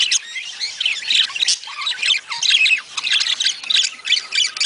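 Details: Budgies, a sound said to encourage them to breed: harsh squawks and quick chattering warbles overlap in dense, pulsing waves, many birds calling at once.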